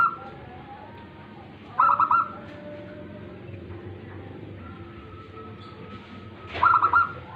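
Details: Local tame zebra dove cooing in song, two brief bursts of quick, bubbly staccato hoots nearly five seconds apart, each followed by a faint drawn-out tone, with steady low background hum between phrases.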